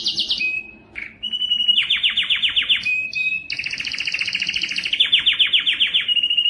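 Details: Strong canary song for teaching young birds and prompting males to sing: bright high notes, short steady whistles, then long runs of fast downward-slurred trills layered with buzzy high rolls, continuous and varied.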